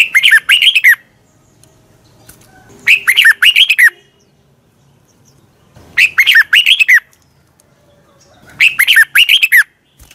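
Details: Red-whiskered bulbul singing in the morning to train other birds: four loud phrases, each about a second of rapid, bouncy down-slurred whistled notes, spaced by roughly two seconds of near silence.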